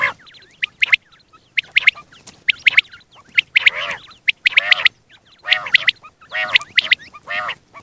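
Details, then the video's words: Single male quail, kept for hunting, calling in a morning and night sequence. Harsh, squawky, harmonic notes come in clustered bursts about once a second, with softer chatter between them. "Batair ki single awaz single male Quil beautiful sounds morning and night hunting بٹیر کی سنگل آواز"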